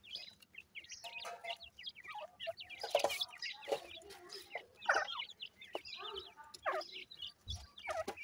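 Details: Several grey francolin chicks, known locally as bhura teetar, give busy overlapping high chirps and hooked upslurred peeps. Softer clucks sit beneath, and a faint low hum runs throughout.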